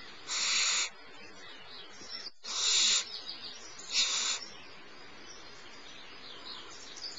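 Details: Small barn owlet begging while its mother feeds it at Starr Ranch around 10:30 am: three breathy hissing screeches, the last shorter, with faint softer chittering between.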